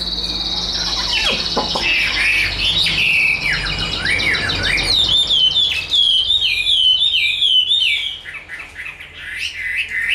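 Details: Chinese hwamei, a tame large cage bird in fighting display, gives a high sustained tone, dipping slurred whistles, and a run of bright warbling phrases over low background rumble.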